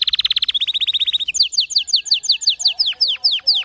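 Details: Domestic canary singing, a recording meant to teach weak or silent canaries to sing; fast trills of rapid repeated notes, then a slower series of clear downslurred whistles repeated about three times a second.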